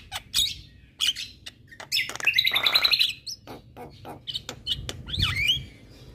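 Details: Javan myna in full vigorous song, recorded as a master for training birds. Scattered clicks lead into a long buzzy, stuttering trill, followed by more clicks and a twisting whistled phrase.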